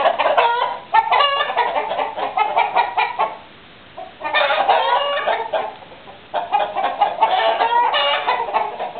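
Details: Chickens and roosters kept as a flock cluck and squawk in busy overlapping bursts, with brief quieter gaps between the bouts of chatter.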